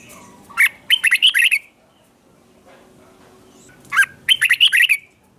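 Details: Red-whiskered bulbul at morning song practice, two quick phrases of sharp, bright chirps about three seconds apart, quiet in between.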